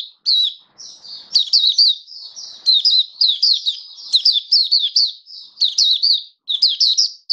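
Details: Kept oriental white-eye pouring out a continuous high, sweet twitter of rapid slurred chirps, phrases running together with barely a break over about seven seconds, recorded 21 October 2022.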